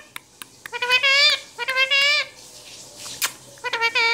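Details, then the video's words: Talking parrot speaking Urdu/Hindi in a small room: three loud, nasal, speech-like phrases with a sharp click between them, delivered in quick bursts separated by brief pauses. "Speaking Parrot Talking in Urdu/Hindi"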